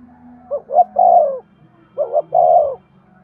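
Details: Spotted dove cooing to stimulate male doves: two phrases, each a pair of short hoots leading into a drawn-out mellow coo that tails downward, over a soft low background drone.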